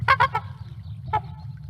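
Trumpeter Swan giving loud, nasal, horn-like honks, three quick notes then a fourth after a pause, over a low steady hum.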